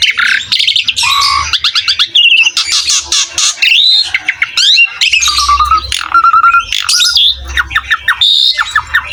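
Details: Asian pied starling singing gacor-style for a tutor recording meant to coax young or reluctant starlings: a dense, varied run of harsh squawks, rasping notes, and upward-sweeping whistles, with a clear steady whistle repeated near the end over faint low hum.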